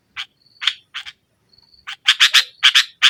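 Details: Lure recording of a sooty-headed bulbul in the forceful 'nggaruda' style to stir a sulking bird: rapid rasping chattery notes, sparse at first then packed into dense bursts, with a thin high steady tone in the pauses.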